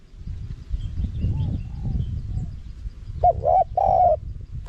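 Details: Spotted dove in a high-pitched wild-style song, played to lure wild doves; after quiet rumbling background, a coo phrase starts late: a short double note, then a long, level, hollow coo.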